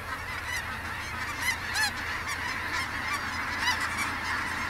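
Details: Geese calling at the Sonny Bono refuge: a crowded flock chorus of nasal honks, with a few louder, nearer honks standing out above the constant wash of distant calling birds.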